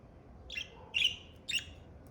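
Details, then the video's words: Pet budgerigar, an Australian parakeet, giving three short, slightly harsh chirps spaced about half a second apart against a quiet background. "Parakeet sounds to relieve stress and relax"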